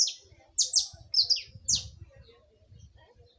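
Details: Saffron finch giving a run of piercing, downward-sliding notes, some doubled, followed by a quiet stretch with a low hum underneath.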